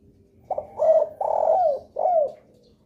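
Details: Spotted dove uttering a lure call to draw replies from other doves: a clipped opening note followed by three full, hollow coos, the last two bending down at their ends.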